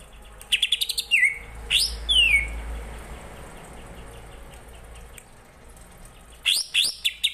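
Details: Greater green leafbird song full of imitations: a rapid high ticking burst, then loud slurred whistles sweeping downward, a pause, and a final flurry of sharp notes over a low hum.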